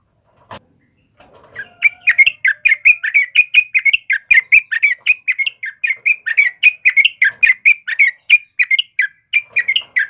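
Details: Vigorous song of a yellow-vented bulbul, kept for luring and training birds: after a brief click, a long steady stream of clear chirping notes, several per second, bright and bubbly throughout.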